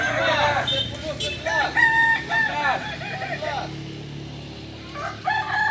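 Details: Kokok Balenggek chicken crowing at a latber practice session in Solok. A chain of quick arched, bouncing syllables fades into murmuring background noise. A short new crow starts at the end.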